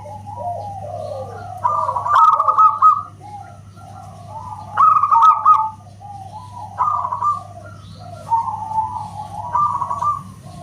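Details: Local zebra dove (perkutut lokal) cooing in separated bursts: each a quick trill of clipped whistled notes, coming roughly every two to three seconds over softer low coos and a faint hum.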